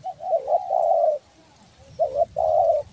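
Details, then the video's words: Spotted dove, a 'belah dada' type from Kepri, a vocal bird used for luring: low mellow coos in two phrases, each a short note leading into a longer steady hum, with a pause between. "SUARA BURUNG TEKUKUR BELAH DADA GACOR BAGUS BUAT PIKAT"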